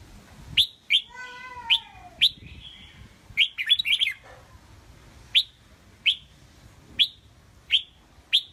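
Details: Pet red-whiskered bulbul in a cage, rated a keen competition fighter: sharp high chirps repeated roughly every second, one warbled burst in the middle, and an early low whining tone with overtones.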